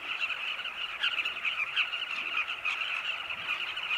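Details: Southern carmine bee-eater flocks flying at sunset around their cliff nest tunnels in Zambia, feeding chicks: a dense chorus of throaty, rolling mid-pitched calls overlapping into steady chatter with no pauses.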